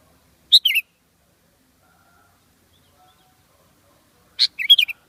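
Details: Sooty-headed bulbul (Pycnonotus aurigaster) giving two brief, bright phrases of a few quick chirpy notes each, separated by about four seconds of near silence.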